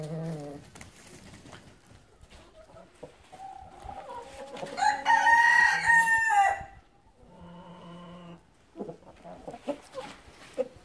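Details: Gold Brahma chicken. A loud, drawn-out rooster crow rises and holds for about two seconds mid-clip. Steady clucking comes before it, and a flat, nasal call and sharp clucks follow.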